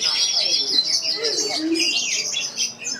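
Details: Kacer, the Oriental magpie-robin, competing at the Piala Candi Prambanan song contest, pours out rapid, shrill whistled notes and looping trills with barely a pause, over faint crowd chatter.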